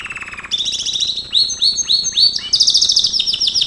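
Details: Song of a Gloster canary for training: a low buzzy roll, then a bright higher trill, then a series of rising whistled swoops about every quarter second, ending in a fast shimmering trill.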